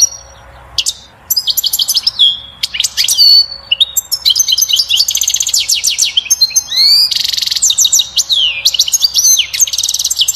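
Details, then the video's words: European goldfinch singing a fast, liquid twittering song of high tinkling notes mixed with buzzy, nasal trills, almost without pause over a faint hum; described as the strongest song for stimulating a female to mate and build a nest. "بتبتة الحسون أقوى تغريد لتحفيز و تهييج الأنثى على التزاوج وبناء العش"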